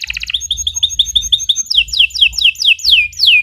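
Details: Canary giving long, full 'gacor' song meant as a training master: a short burst, then rapid chipping notes, shifting into loud descending whistled sweeps spaced evenly.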